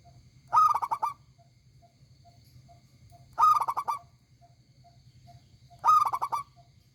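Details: Loud, big-voiced local zebra dove repeating its song three times, every phrase a fast stuttering series of mellow cooing notes, with a low steady hum and faint short tones between phrases.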